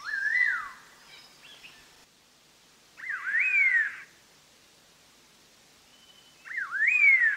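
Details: Black-hooded laughingthrush, a Vietnamese endemic of montane evergreen or pine forest above 2,000 m, singing loud, clear whistled phrases that swoop up and slide down, repeated every three seconds or so over quiet background.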